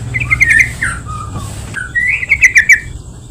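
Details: Lure recording of a yellow-vented bulbul meant to make other bulbuls sing: a varied run of liquid, slurred chirps and warbled notes, with a brief pause midway before a quick bubbling burst.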